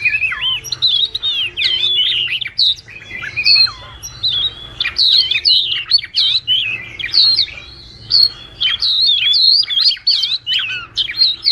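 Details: Flock-calling wagtail used to lure birds into a trap: lively warbled phrases of swooping and falling whistles, with a short lull around the third second, then quick choppy chirps continuing to the end.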